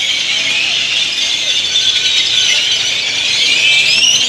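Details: Flock of great-tailed grackles (Quiscalus mexicanus) arriving at dusk to roost in Indian laurel trees in Granada, Nicaragua: a dense chorus of shrill squeals, whistles and chatter that grows louder, with faint traffic beneath.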